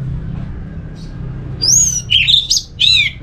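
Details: Orange-headed thrush singing, used to coax other thrushes into song: after quiet low hum, three or four quick, high, slurred whistles arrive in the final second and a half.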